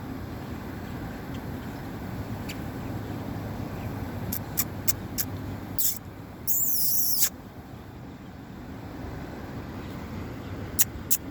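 A great-tailed grackle gives sharp dry clicks and a harsh, hissing rasp of about a second, over a steady rumble of traffic.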